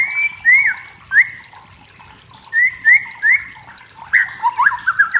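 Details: Wild white-rumped shama from the forest singing to provoke rivals: clear whistled phrases near the middle pitch, several short rising and falling notes, then a quicker run of slurred notes at the end.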